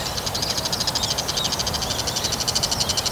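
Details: Bull-headed shrike calling, from a collection of its high-pitched, alarm, subsong, mimicry and begging calls: a fast, steady run of high, rattling chattering notes, about eight per second, throughout.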